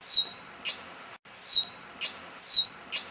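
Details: Brown rock chat, also called Indian chat, in Rajasthan, India: short high notes repeated in pairs, a clear whistled note followed by a brief burst, three times in about three seconds.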